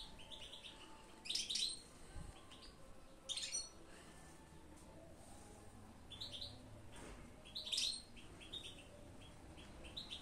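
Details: Goldfinch song in short clusters of sharp, high chirps and twittered notes, several bursts spaced unevenly across ten seconds, with quiet hiss between phrases.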